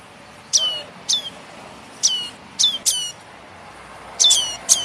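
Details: Young red-headed tailorbird (prenjak kepala merah) begging, a recording used as a bird-catching lure: sharp, high, harmonic chirps that drop steeply in pitch, about seven spaced unevenly, some in quick pairs, over a faint steady hiss.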